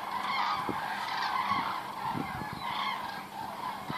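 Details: Thousands of common cranes flying over Osterath, Meerbusch, in huge waves on migration: overlapping trumpeting, honking calls from a distant flock, repeated irregularly, with a steady background rumble.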